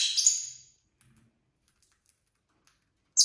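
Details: ['Pet lovebirds from a home flock of six on a calm Saturday: one harsh, high shrill screech that fades out, then near silence with faint clicks, and a second sharp shriek starting at the end.']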